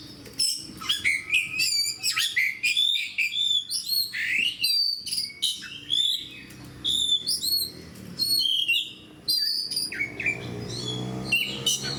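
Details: Fighting-style song of a caged oriental magpie-robin: a long run of loud, varied whistles, sharp chips and rapid slurred notes in short bursts, densely packed and continuing almost without pause.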